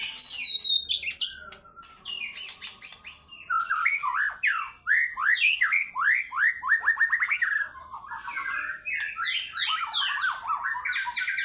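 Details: Rapid, fighter-style song from a White-rumped shama showing off its repertoire: fast series of sweeping downslurred notes repeated several times a second, mixed with high whistles and chattering bursts.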